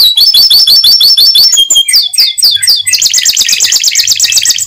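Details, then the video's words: Atlantic canary song used to stimulate other canaries to sing: loud, fast, high chirped notes repeated in runs, swooping slurred phrases, then a dense buzzy rolling trill with faint hum beneath. "Suara Burung Kenari Untuk Memancing Kenari Agar Tetap Gacor"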